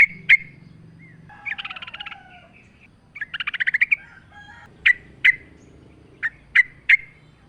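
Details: Sooty-headed bulbul in a lure recording with nature sounds: sharp single whistled notes scattered throughout, two chattering trilled bursts in the middle, and a low rumble beneath.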